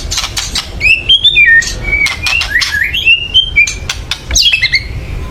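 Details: Excited white-rumped shama chatter used to spur birds into singing: a quick string of clear whistled notes punctuated by sharp clicking bursts, ending in a dense tangle of harsh notes.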